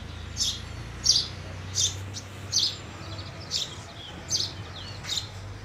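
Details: Repeated sharp, high-pitched chirps from a house sparrow, about one every 0.7 seconds, over a faint low rumble.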